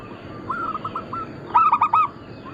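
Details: Bangkok-crossbreed local zebra dove, a lively singer that prompts other doves to call, gives a soft rolling coo then a sudden loud burst of four hollow, stacked coo notes over constant hiss.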